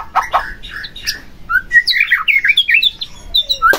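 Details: White-rumped shama singing, used to provoke another shama to sing: rapid varied phrases of clear whistles and short chirps, rising and falling in quick succession.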